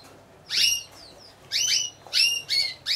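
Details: Timbrado Español song canaries at a competition show, judged in team category C1 of four birds, November 2015; loud, high, ringing bursts of rapid sweeping notes, three to four per second-and-a-half, over a low hum.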